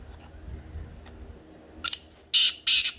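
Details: A brief black francolin call: one weak scratchy note, then two loud, harsh buzzy notes in quick succession.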